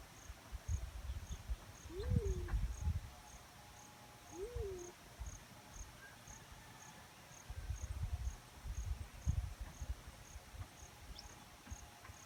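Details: Black-chinned fruit dove calling twice, low rising-then-falling hoots a couple of seconds apart, over bursts of low rumbling background noise and a faint steady high ticking.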